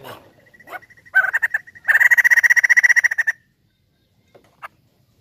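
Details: Crested laughingthrush, the bird locally called poksay jambul, in loud lively song used as a lure: a thin steady whistle, then a burst of rapid, harsh, evenly pulsed chattering notes for about a second and a half, with a few faint calls after.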